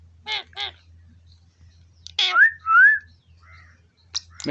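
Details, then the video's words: Rose-ringed parakeet, an Indian village pet parrot said to talk, giving two short harsh raspy bursts, then a louder squawk and two smooth gliding whistled notes, ending with sharp chirps over a steady low hum. "Indian parrot speak everything."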